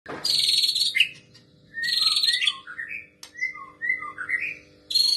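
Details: White-rumped shama song imitating a female prinia: loud buzzy, rasping bursts high in pitch alternate with quick whistled, slurred notes that rise and fall, with short pauses between phrases.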